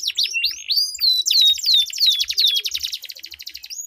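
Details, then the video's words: Dueling canary song, a lure to set silent canaries rolling: rising whistled notes, then repeated long descending slurs over a rapid pulsed trill, ending in a fast even roll with faint low thumps. "Duel Burung Kenari Suara Merdu Ngerol Panjang || Pancingan Ampuh Kenari Macet Gacor Ngerol Panjang"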